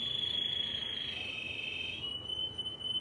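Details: Timbrado canary singing: a steady, pure high tone held for about three seconds that slides slightly lower near the end, with faint higher overtones and no other sounds.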